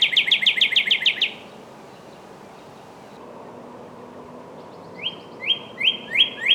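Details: Northern cardinal gives a fast burst of about ten clipped whistled notes. After a quiet gap it switches to a slower string of rising, upslurred whistles that grow louder, roughly two per second.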